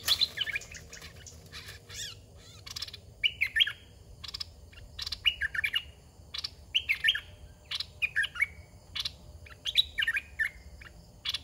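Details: A red-whiskered bulbul in a decoy cage gives repeated short warbled phrases about every one to two seconds, with sharp dry clicks and rattling bursts between them.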